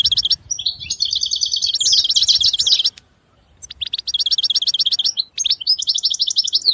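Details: European goldfinch singing in two bursts: rapid tinkling, twittering phrases with buzzy trills, a short pause near the middle, then quick repeated notes resuming.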